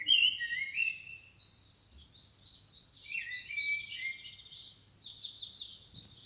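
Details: Male and female Common blackbird in the wild give a steady run of high, thin twittering notes with short warbled phrases mixed in, over a quiet low background hum.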